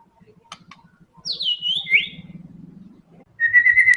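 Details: White-rumped shama tembakan song: a high descending whistle that wavers and drops, then a sustained steady whistled note with fast flutter, over a soft low rhythmic rumbling.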